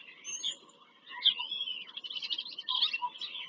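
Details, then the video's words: Bald eagle visiting its nest in Pennsylvania farm country, picked up by a live nest camera on 5 February 2023. Thin, sliding high whistles lead into a fast run of chattering piped notes. "bieliki - wizyta w gnieździe"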